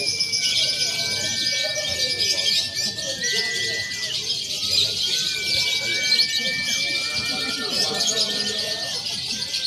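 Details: A simulated lovebird contest in the free-action class, combining konslet, fighter and paud birds for training before real competition: unbroken shrill chattering from many lovebirds, with long, level whistled tones that step up and down across the background.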